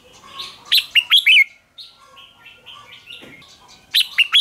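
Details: Red-whiskered bulbul contest song, played to rouse and provoke other bulbuls into competitive singing. Short bursts of clear, slurred whistles, then softer warbled notes, then another loud burst of whistled notes.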